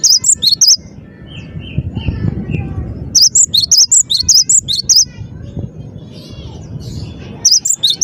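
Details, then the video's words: Cinereous tit singing persistently in repeated bursts of piercing two-note phrases, with a few faint lower chirps between bursts. "burung gelatik batu gacor dor"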